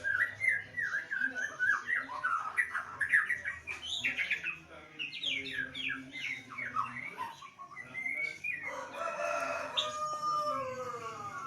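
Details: Caged white-rumped shama in full song during a lockdown, delivering rapid varied whistled phrases and harsher squawky notes, ending in a dense churring stretch.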